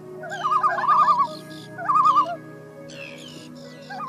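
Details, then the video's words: Loon giving warbling, quavering tremolo phrases at mid pitch, two long bursts separated by a pause, with a shorter rising note at the end and fainter higher chirping sounds in the background. "5 Most Unique Loon Birds Mysterious Calling"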